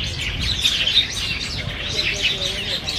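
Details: Black bulbuls jostling for Chinese banyan figs, Niaosong Wetland Park, 4 November 2015, Canon PowerShot SX700HS; bright overlapping chirps and squeaks throughout, with faint low background noise.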